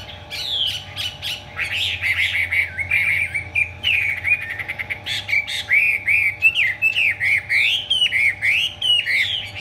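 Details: Hwamei song during a tail-fanning, wing-spreading display, opening with sharp high notes, then running into a rich, rapidly varied series of whistles and warbled slurs that grows steadily louder and more choppy.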